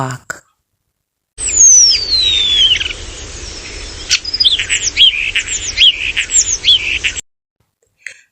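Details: Common starling (Sturnus vulgaris) singing in a garden in spring, newly returned after winter and nesting in a nest box: a long descending whistle, then a rapid jumble of high squeaky whistles, clicks and chirps, about six seconds.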